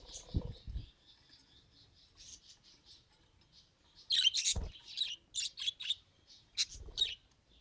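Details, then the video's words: Budgerigar trying to talk: a soft continuous high murmuring warble, then louder sharp chirps and squeaky bursts in quick succession, with a few low knocks. "Budgie Tries to Talk… and Fails Adorably"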